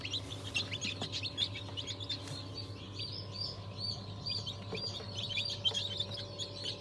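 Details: Hatchling chicks of mixed breeds such as Ayam Cemani, Sultan, Habesh and İspenç, 22 January 2023, giving thin, high peeps, somewhat softer and more scattered, against a persistent low electrical hum.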